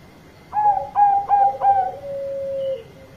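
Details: A Bangkok-type zebra dove calls loudly to a companion, giving four quick, bubbling coo notes that run into a long, steady, lower coo, over a faint electrical hum.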